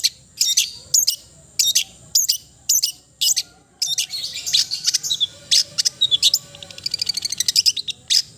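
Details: Long-tailed shrike song (cendet) opening with evenly spaced sharp chirps about every half second, then turning into a denser, varied twittering with rapid scratchy notes toward the end.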